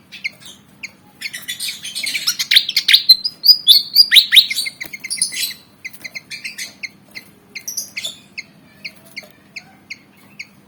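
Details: Black and white Javan fantail eager to fight: soft spaced chirps, then a loud squeaky whistled outburst with chatter, then the spaced chirps again.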